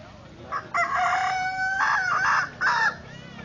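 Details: Kukuak Balenggek rooster crowing at a crowing contest held on staked ground in Solok city, Indonesia: a short opening note, then a long sustained crow that breaks into two shorter stepped bursts, over a faint background hum.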